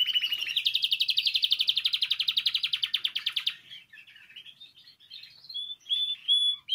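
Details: Canary song intended to stimulate canaries to sing: a loud rapid pulsing trill lasting about three and a half seconds, followed by softer warbling twitters and a few clear whistled notes.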